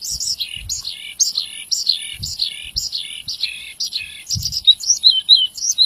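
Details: A Javan bush lark in full, lively song, meant for tutoring other birds; short phrases of bright chirps slide downward, each followed by a brief gap, with faint low knocks in the background.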